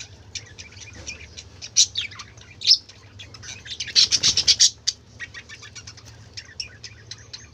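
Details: Colourful budgerigars chattering: fast, ticking twitters and scratchy chirps, with a dense run of loud, overlapping squawks in the middle.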